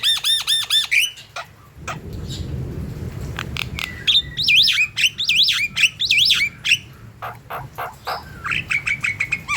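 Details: Javan myna in full song, used as a lure for other mynas: harsh squawks alternate with rapid runs of looping, bouncy whistled notes and sharp clicks, with a brief burst of low rumbling noise near the start.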